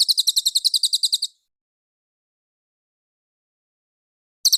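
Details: [3, 'Cililin master song for bird-contest training: a quick string of bright, sharp high chirps lasting just over a second, then silence, before the rapid notes resume at the very end.']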